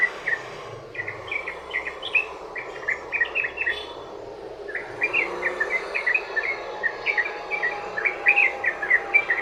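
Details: Sooty-headed bulbul in long 'ropel' song, meant as a lure to draw other bulbuls into answering: two extended runs of quick bubbly whistles separated by a quieter lull, over continuous background hiss and a faint steady tone.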